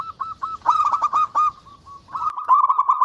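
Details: Local zebra dove singing vigorously: rapid staccato cooing notes run into rolling trills at a steady mid pitch, with a short pause before a fresh burst of quick trilled coos.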